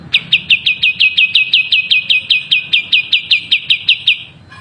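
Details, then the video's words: Vigorously singing long-tailed shrike (cendet), a tutor recording: a single steady run of about twenty sharp, clipped high notes repeated at roughly five per second, then a faint lower note at the end. "masteran burung cendet gacor"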